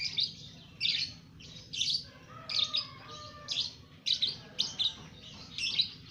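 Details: Young lovebird, two months old, kept caged and singing ngekek; rasping, squeaky notes repeated roughly every second in a busy chattering run over a low background hum.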